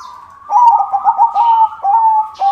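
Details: White zebra dove in full song, meant to draw other zebra doves: continuous mellow gurgling coos in quick pulses with several brief rises and falls and no pauses.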